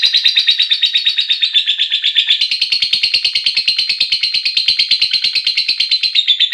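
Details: A long ngekek from a lovebird calling to companions, a sustained shrill trill of fast, evenly pulsed notes running unbroken for over six seconds in a quiet setting.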